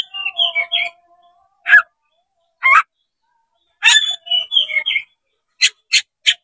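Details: Oriental magpie-robin (kacer) singing to provoke a rival to fight, with tail spread open: rapid varied whistled and chattering phrases, then several sharp, separate chip notes after pauses.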